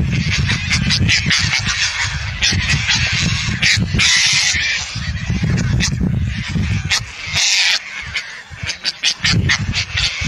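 Indian skimmers give harsh, nasal yapping calls in a dense, overlapping chorus, over a steady low rumble of wind or water.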